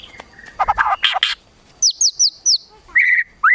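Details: White-rumped shama singing 'kretekan tembakan', used to provoke emotion: harsh buzzy rasps, then four crisp high descending notes in quick succession, followed by a sustained whistle and a rising slurred note.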